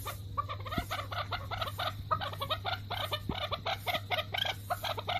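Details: Angry male chukar partridge, Alectoris chukar, raising the alarm and pecking the ground; rapid, harsh, chattering clucks run continuously at moderate volume, with a few sharp taps among them and a low hum behind.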